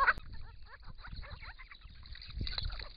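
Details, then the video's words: Grey-crowned Babblers at a pond in regional Victoria, Australia, recorded by camera trap as a group drinks and bathes; a short run of quick upslurred squeaks follows a loud opening clatter, over soft low splashing. "Australian native Grey-crowned Babblers calling and bathing"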